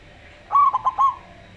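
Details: Local zebra dove with a slow voice: one brief phrase of four quick, clear, ringing coo notes in under a second, against a quiet background.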